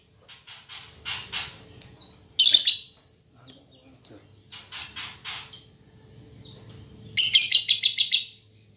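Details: Caged female lovebird of fighter temperament, singing as strongly as a male: scratchy high chirps and buzzy squeals in uneven bursts, ending in a fast pulsed series of rasping notes.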